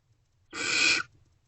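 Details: Barn owl at a nest box at night during food deliveries, 28 February 2024 around 2:15 am: a single harsh, hissing screech lasting about half a second, broad and noisy, with faint low hum beneath.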